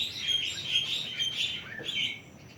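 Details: Young plaintive cuckoo, 41 days old, giving a short run of thin, high squeaky notes. They repeat about every half second, with a faint lower slurred note near the end. A quiet hiss lies behind them.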